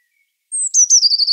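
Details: Eurasian blue tit singing: a very high, thin drawn-out note, then a quick silvery trill sliding slightly lower, all within about a second.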